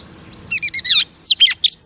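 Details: Female oriental magpie-robin, played to stimulate pet male birds: after a quiet start, two bursts of high, sharp chirps and twisting whistled notes, each lasting under half a second.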